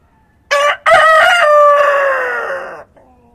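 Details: Rooster crowing at dawn in a countryside setting: a short opening note, a brief break, then a long loud harmonic crow that holds steady and slowly falls before cutting off, with quiet rural ambience around it.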